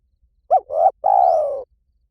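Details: Spotted dove giving a 'liu tan' style coo, played to lure and train doves to call back: a short rising-falling note, a longer steady one, then a long drawn falling coo, low and mellow, with a silent background.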